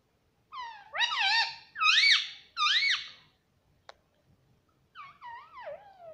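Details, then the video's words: Ringneck parrot kept as a pet, talking in a small room: three loud, squeaky arched syllables with bending pitch, a pause with one sharp click, then a softer trio of falling squeaky notes. "प्यारे मिट्ठू की प्यारी बाते || Cute Ringneck Parrot"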